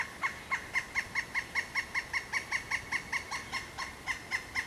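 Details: Pileated woodpecker giving a steady, strong series of nearly twenty loud kuk notes at a brisk, even pace of about three per second, close and clear.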